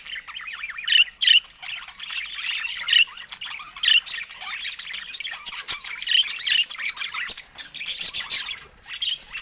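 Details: Budgerigars kept in a cage keep up continuous high chirping and scratchy squawks, with sharp clicks scattered throughout.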